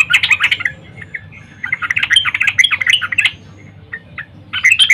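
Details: Female sooty-headed bulbul calling a male in the morning: irregular harsh chattering and squeaky notes in uneven bursts, with short gaps and scattered single chips between the louder runs.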